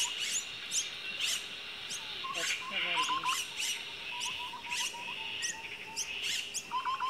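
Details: Common myna nest holding chicks, with quick repeated chirps spaced irregularly and a run of soft, lower, bubbling notes in the middle. A constant shrill background hum is present throughout.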